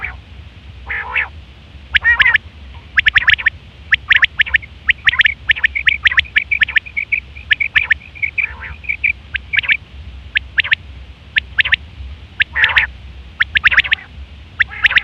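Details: Female quail (batair) calling, recorded as a trapping lure: sharp clicky chirps repeated in uneven bursts, mixed with thin trilling notes and a few nasal buzzy calls, over a steady low hum.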